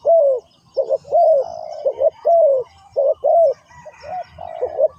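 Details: Lure spotted dove in ground trapping calling to wild birds: rich low coos, quick paired notes then a sustained sliding coo, repeated irregularly about once a second, light twittering from other birds in the distance.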